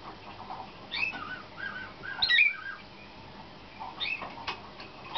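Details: Young 2013-hatched nightingale-type (slavujar) canary selected for competition and in song training; brief whistled and gurgling notes cluster between one and two and a half seconds, then scattered higher chirps toward the end over a low hum.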